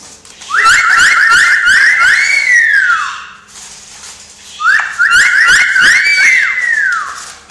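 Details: Talking pet parrot whistling a phrase twice: a quick run of short rising whistled notes, then a long arched note that slides downward, with faint clicks and thumps underneath.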